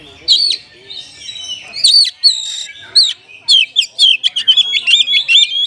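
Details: Oriental magpie-robin performing kapas tembak–flavoured isian material: scattered high slurred whistles, then a fast run of clipped, repeated chip-like notes in the second half.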